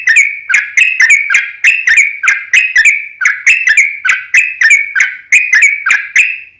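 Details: Sooty-headed bulbul lure song: regular chattering bubbly whistles in tight groups, roughly one group per second, each note with a sharp clicky onset, sustained for the whole stretch.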